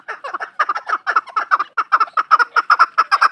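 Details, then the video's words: Chukar partridge kept on a farm giving a steady run of rough, clucking double notes, evenly spaced at about two to three per second, growing slightly louder toward the end. "Farmi chakor francolin voice |chakor ki awaaz"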